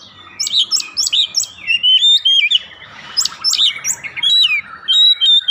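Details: Lure song of an oriental magpie-robin, played to get the bird singing straight away: quick repeated high chirps, then long clear whistles bending up and down, with dense chattering phrases and no other sounds.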